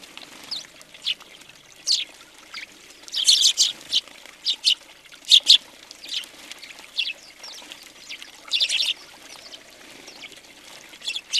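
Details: House sparrows gathered on a feeder in Recke, Germany, in January 2020, giving scattered clipped chirps, some doubled, with busier chattering flurries mixed between quieter spells.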